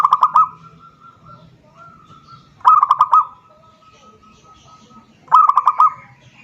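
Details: Zebra dove calling a rival: three clipped trains of rapid, even-pitched coos about two and a half seconds apart, with a faint thin steady tone lingering between phrases.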